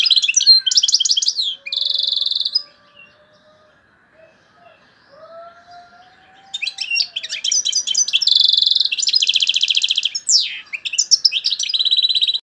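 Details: European goldfinch from Algeria in strong song including torojio, kaka jio and borouis phrases: twittering bursts and steady buzzy trills, a long pause with faint soft whistles, then extended chattering and rattling trills.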